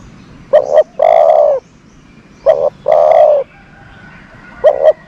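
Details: Decoy dove kept to lure other doves, cooing in a repeated phrase: two short clipped notes followed by a longer, steady, mid-pitched coo, given about twice in five seconds against quiet background hiss.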